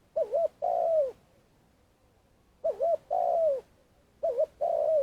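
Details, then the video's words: Trapping lure Spotted dove in Vietnam giving long calls, three phrases of a brief double coo followed by a sustained coo falling at the end, with a long pause after the first. "Cu gáy mồi cây - gáy gọi dài"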